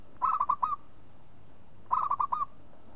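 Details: Two phrases from a local zebra dove, nearly two seconds apart. Each is a tumbling series of five mellow, mid-pitched coos closing on a longer upturned note.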